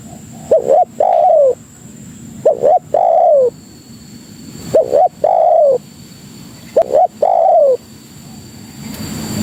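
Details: Lure call of tekukur, the spotted dove, to summon other doves: four cooing phrases of a short double note and a sustained falling coo, spaced about two seconds apart, ending in quiet low noise.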